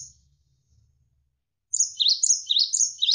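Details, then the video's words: Tutor song of the cinereous tit, called gelatik wingko: after more than a second of near silence, a fast series of high, sharp, repeated two-note whistles, about five phrases. "MASTERAN GELATIK WINGKO Gacor Berjeda 1-3 Menit"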